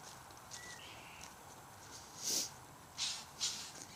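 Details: White-winged choughs, a flock of about 60 or 70 birds that had just eaten a kangaroo and were acting strangely near a tree; three loud harsh hissing rasps in quick succession, a faint thin whistle earlier, otherwise quiet outdoor background.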